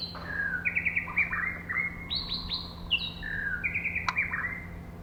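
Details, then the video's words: Female white-rumped shama, whose song is used to stimulate males. She sings a lively continuous run of clear, high whistled notes. The song has stepped, trilled phrases and downward slurs, one sharp click, and a faint low hum behind it. "choè lửa mái kích trống"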